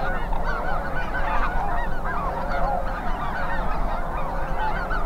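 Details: Vast migrating goose flock, Snow, Greater White-fronted, Ross's, Canada and Cackling, overhead in western Minnesota in strong south wind. Many distinct yelping, slurred honks stand out from a dense crowd chorus, over lower wind rumble.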